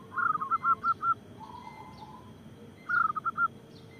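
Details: Local zebra dove kept to encourage other doves to sing. Two softer phrases of five or six rounded coos are heard, with a faint low trill between them over a quiet hiss.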